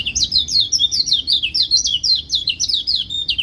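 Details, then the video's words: White-eye song, a bird said to set other white-eyes singing along: rapid high twittering chirps, each a quick falling slur, packed densely and continuously throughout with no pauses, over a faint low rumble. "Pleci lain pasti ikut bunyi"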